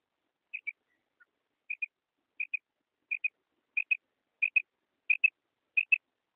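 A female common quail gives clear, high paired notes, a quick double chirp repeated about every two-thirds of a second and growing louder. No other sounds are heard.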